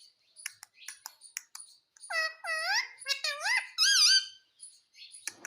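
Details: Pet Indian ringneck parakeet speaking the word "mummy": several strong harmonic, voice-like syllables that rise and fall in a chattering run, framed by sharp high ticks and chirps before and after.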